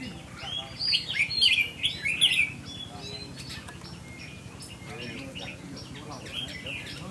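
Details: Red-whiskered bulbul (chào mào) kept as a cage bird, with 'mơ mặt, mí lửa' markings, having its attitude tested: two close phrases of rich, rolling whistles, then softer distant chirps.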